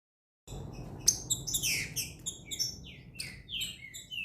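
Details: Green-winged saltator coming out of moult, a bird called Tornado: loud bursts of clear whistled notes and sweeping slurs between 2 and 8k, uneven phrases over a low hum of room noise.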